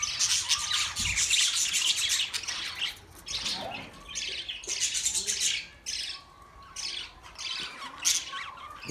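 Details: Budgerigars chattering continuously, a dense mix of high warbles, squeaks and short chirps from several birds at once, with a louder squawk near the start and a Hindi voice speaking briefly afterward.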